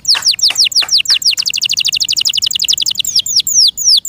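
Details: Canary in its keeper's care with a high, piercing song. Several downslurred whistles run into a very fast, even trill of short chirps lasting about two seconds, then a few more falling sweeps.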